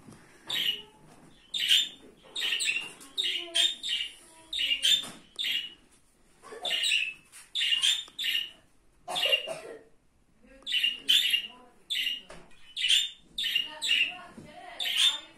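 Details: A budgerigar reacts to a bird sound played on a phone with bursts of bright, scratchy chirps and warbles.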